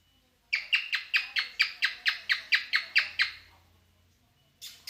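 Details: A cockatiel in mating mood sings twelve gritty downslurred notes in a regular rhythm, with a low hum in the background and a fresh burst starting at the end.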